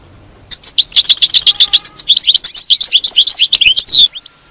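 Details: European goldfinch twittering song, the batbata style, meant to keep a captive goldfinch singing: rapid tinkling, buzzy notes about four per second, some rising and falling sharply, running for about three and a half seconds in a quiet room.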